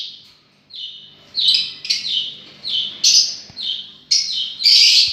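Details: Lovebirds calling: a run of shrill, high squeaky chirps, each a short burst repeated about every half second, growing louder and harsher toward the end, with a quiet background and no other clear sounds.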